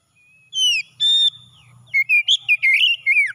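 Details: Morning song of an oriental magpie-robin, played to revive stressed birds that have stopped singing: clear sliding whistles and a held note, then a fast run of varied fluty phrases.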